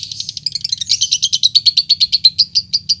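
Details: Lovebird calling to draw out a rival, a rapid chattering ngetik run flowing into ngekek: high sharp chirps repeated about three per second, quickening and tightening into a steady pulsed chatter, with a faint low hum beneath.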